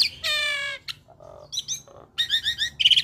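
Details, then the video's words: Hybrid starling, Asian pied starling crossed with Nias hill myna, singing for cage-bird training: a harmonic nasal note, short clicks, then a run of buzzy rattling notes and a loud rasping burst. "Masteran Jalak Suren Biar Cepat gacor Dengan Ocehan Jalak Hybrid ASSU - Jalak Suren X Jalak Nias"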